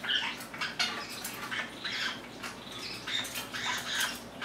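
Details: Indoor group of pet Lineolated parakeets, one crowding in front of the camera; continuous rapid chirping and twittering from several birds with brief high peeps scattered through, overlapping into a busy chatter above faint background hum.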